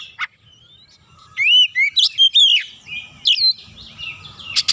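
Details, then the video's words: Fired-up oriental magpie-robin pushing out its 'isian' song as a lure for other singing birds: after a single sharp note and a quiet pause, a run of loud, pure whistled slurs and high chips, then busier warbling over low background rumble. "PANCINGAN Kacer langsung naik emosi ngotot bongkar isian"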